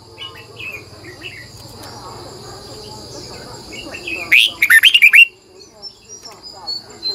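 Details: Morning song of a red-whiskered bulbul used as a lure to draw wild birds, a single strong phrase of quick twisting warbles in the middle, with softer chirps from other birds and a constant insect drone behind.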